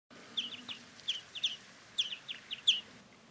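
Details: A European greenfinch in winter, feeding on an unharvested grape crop, gives a loose series of short, bright chirps, about a dozen in three seconds, some paired, over a faint low background hum.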